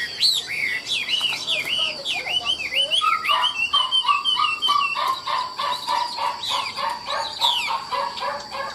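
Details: A Chinese hwamei held in a cage and praised for nodding, lilting song. Looping whistles give way to a long run of rapid, mellow repeated notes, over a steady high background tone.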